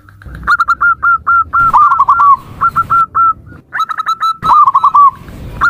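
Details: Repeated zebra dove call: clipped, hooked coos in rapid sequences, some notes running together into trilled clusters. Short pauses and sharp clicks separate the phrases.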